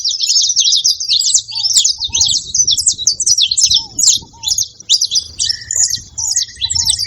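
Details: Saffron finches and ground doves calling together. High, rapid, jumbled chirps run throughout, with paired soft, low dove notes and a short buzzy rattle of another bird toward the end.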